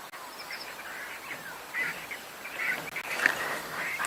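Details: Grey go-away-birds (Corythaixoides concolor) give harsh, nasal, bleating calls in several rough bursts against a steady hiss, heard on a sunset safari drive on 25 December 2021 between two converging drainage lines.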